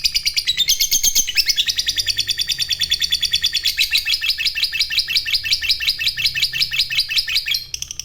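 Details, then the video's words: Long ngekek chatter from a fighter lovebird, a song meant to set other lovebirds singing: unbroken, high, rapid buzzy rattle of fast repeated notes, pitch wavering slightly, with a short break just before the end. "SUARANYA Sukses Bikin Lovebird Lawan Ikut Bunyi Ngekek,Burung Lovebird Gacor ngekek Panjang"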